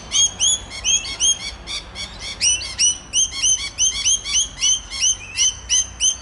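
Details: Rainbow lorikeet noisily talking to its friends, filmed on the Olinda Creek Trail, Montrose, Victoria, Australia: a steady stream of shrill, upward-flicking screeches, about three each second.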